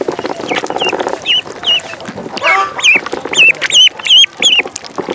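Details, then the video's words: Duckling in a pond giving high, wavering peeps that rise and dip, repeated quickly several times a second, louder in the second half, after an opening burst of broad splashy noise. "Duck Sound duckling in the pond -duck quack"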